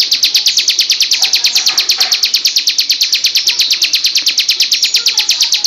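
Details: Bar-winged prinia song used for training other songbirds: a fast, steady run of sharp, high chipping notes, about three per second, sustained throughout with faint softer chirps underneath.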